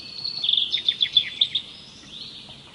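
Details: Bird song of rapid high chips, about eight in a quick burst with short downward flicks, followed by a fainter thin rising whistle.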